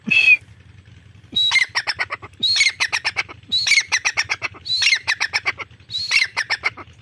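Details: Calling Irani teetar, or grey francolin: a short high note, a pause, then five strident phrases about a second apart, each a rising whistle followed by a rapid rhythmic series of rough, chattering strokes.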